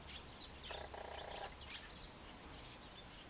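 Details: Western jackdaw searching for food, giving a short burst of harsh, nasal calls with stacked tones lasting under a second, amid faint high chirps from other birds and steady background noise.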